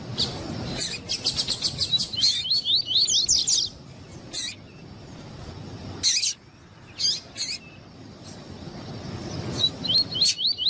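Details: Variable seedeater male, tuí-tuí song type, replying to a female's calls to excite captive birds for singing contests. A rapid burst of high zigzag notes is followed by loose sharp chips, and a second short zigzag burst comes at the end.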